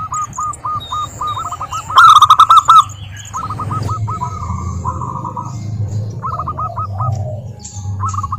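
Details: Local wild zebra doves cooing as a lure for silent doves: short trilled coo phrases repeated with gaps, a loud rattling burst near the start, and a steady low hum throughout.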